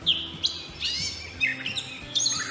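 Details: A Gray Catbird (Dumetella carolinensis) singing in Delaware woods: a jumbled run of squeaky, scratchy notes and grunts in quick bursts, each phrase different from the last, high-pitched and unmusical.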